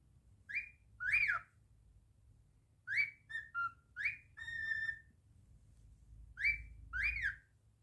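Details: Male pet cockatiel whistling its song indoors, a run of short rising and falling whistles and steady overtone-rich flat notes in several bursts, then a pause before two final swooping whistles.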